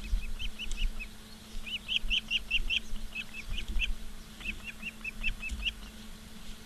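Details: Osprey at Charlo, Montana, recorded by live camera on 15 August 2023 at 16:06: repeated bursts of shrill, whistled chirps in short rapid strings separated by brief pauses, over a low steady hum.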